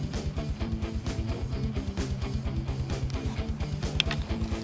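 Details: Strummed guitar music with a steady plucked rhythm and a deep repeating bass line, with no animal voice heard.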